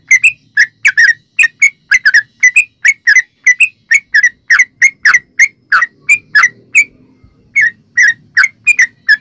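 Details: Lively yellow-vented bulbul song used as a lure for other bulbuls: quick bubbly chirps, single and in pairs, in a steady run, with a short pause near the end and a faint low hum.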